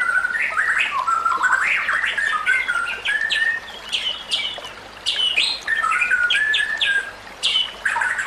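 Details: White-rumped shama song used as a training tutor for other shamas: rich, varied phrases of slurred whistles and sharp upswept notes, rising and falling in quick bursts with short pauses between phrases.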